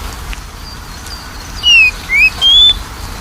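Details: Oriental magpie-robin lure recording for stimulating a bird reluctant to sing: three clear whistled notes in quick succession, a falling slur, a short rising slur, then a higher steady whistle, over a quiet background hiss.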